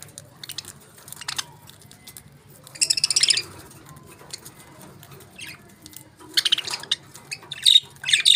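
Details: A budgie flock feeding on favourite food: quiet clicks and faint twitters, broken by two loud bursts of harsh, grating squawks and a few sharp whistled chirps near the end.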